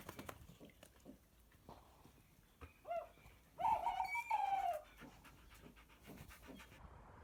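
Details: A wild female Tawny Owl gives a very soft, brief, wavering hoot that slides slightly downward, with a shorter note just before. She had been hooting back by day to a captive-bred Tawny Owl at a falconry centre, hidden in a tree, during lockdown. Handling knocks and rustling throughout.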